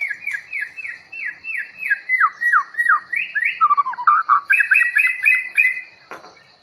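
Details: Long-tailed white-rumped shama from Bahorok, freshly brought in from the forest: loud, rich song of rapid repeated downslurred whistles, shifting into lower warbled phrases and then quick high notes, ending with a sharp click.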